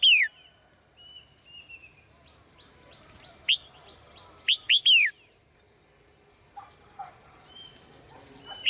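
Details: Lively morning song of a caged female bird: scattered bright, down-slurred chirps, including a quick triple burst near the middle, amid soft whistles and twitters from other birds nearby.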